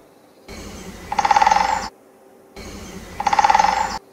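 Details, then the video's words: Great spotted woodpecker drumming: two short bursts, each an accelerating roll of strikes under a second long (0.4–0.8 s) with a rebound effect fading at the end; otherwise quiet. "c'est une suite de coups à cadence accélérée caractérisée par un effet rebond s'évanouissant vers la fin alors"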